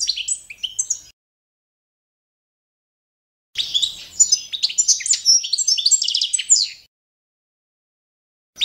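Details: Trained-standard song of Carduelis carduelis balcanica, the Balkan goldfinch: a short twitter ends, silence follows, then about three seconds of rapid jangling trills and buzzy notes before another pause.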